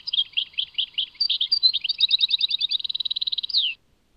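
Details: Goldfinch song recorded in Tadmait: spaced chirping notes speed up into a rapid bubbling twitter and a dense trill, ending with a downward-sliding note. Silence follows.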